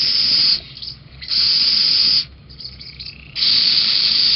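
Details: Little owl at Holten on 13 June 2020, around 18:07, on a beam at feeding time, giving harsh, breathy hisses in three long bursts, each up to a second long, with short quieter gaps; apparently a failed begging call.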